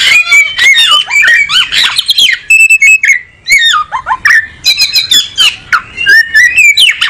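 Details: Oriental magpie-robin in energetic, dense song: a rapid medley of harsh chatter, slurred whistles, and crisp repeated chirps, nearly continuous and very loud at close range.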